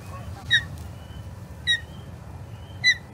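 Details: Osprey at the Charlo Osprey Nest, 21 April 2022, amid a skirmish with a third osprey: three clear, short, downslurred whistled notes roughly one second apart over a low steady background rumble.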